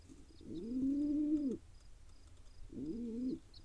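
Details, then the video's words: A baby wild pigeon being fed by its father in Israel gives a sustained whining call of about a second, then a shorter matching whine after a pause. "Pigeon Dad feeds his cute tiny baby"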